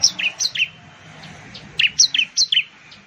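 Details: Two short bursts of piercing, down-slurred chirps from a bar-winged prinia (ciblek), each of four or five notes alternating between higher and lower pitch, with a quiet gap between them.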